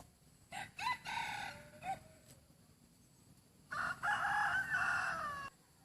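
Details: Chicken praised for a very good voice, crowing twice: a first crow of short rising notes that break into a hoarse, harmonic stretch, then after a pause a long, loud, strained crow that sags slightly at its end.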